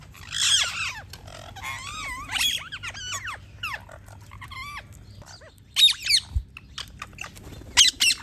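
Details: Parrots chirping: a series of bright, squeaky whistled notes, some sliding up and down, others short sharp chirps in bursts, with quiet gaps and a faint low background hum.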